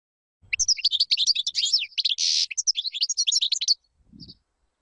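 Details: Singing European goldfinch, song for teaching young birds: dense high tinkling twitter with a harsh buzzy note in the middle, a short low rumble at the end.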